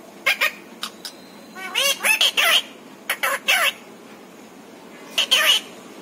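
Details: Pet parrot talking, said to speak words such as papa, mummy and a meow; harsh, squawky spoken bursts in three clusters, with quick rising and falling voiced strokes and a final burst near the end.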